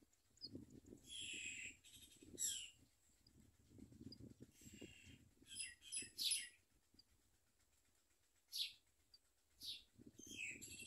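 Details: Common myna chicks eating food from their mother and biting her; harsh, raspy bursts come in short irregular spurts over soft low rustling and handling noise.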